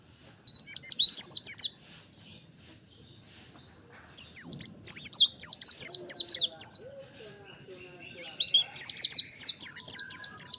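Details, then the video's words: Mountain white-eye singing hard in three bursts of rapid, high, falling chirps, each burst a few seconds long with short quiet gaps between; a faint lower wavering sound in the middle. "kicau burung pleci montanus gacor"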